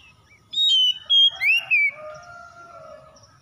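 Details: Lure song of a home-kept Oriental magpie-robin (kacer): one short phrase of four bright whistled notes, the last rising then falling, followed by a lower drawn-out hum-like tone and quiet.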